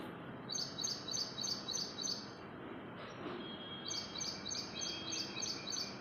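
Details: In the early morning, a small bird gives rapid, high chirps, about three each second, in two bursts with a short pause between, over a steady background hum.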